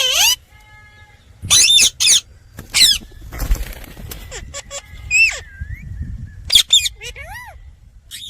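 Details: Indian ringneck (rose-ringed) parakeet talking: several short bursts of talk-like chatter with high, squeaky harmonic sweeps and sharp squawks between them over a faint rustling background.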